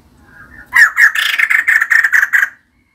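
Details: Female white-crested laughingthrush in full song, kept as a cage bird: a rapid series of about nine harsh, chattering notes around the same mid pitch, loud and evenly spaced over under two seconds after a soft lead-in.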